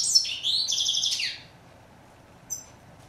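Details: Short European goldfinch phrase, known in Morocco as steyla: a rapid series of bright, buzzy twittered notes lasting just over a second, then near silence broken by one faint high chip.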